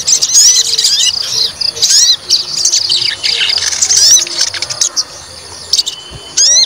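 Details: White-rumped shama, a fighter bird provoked to test its temper, pouring out high, rapid whistled and buzzy phrases with sharp upslurred notes, in bursts broken by short pauses over a faint low hum.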